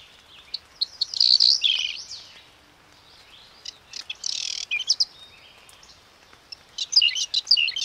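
A whinchat sings short, scratchy phrases of high chattering and whistled notes, delivered in bursts a few seconds apart; little else is heard.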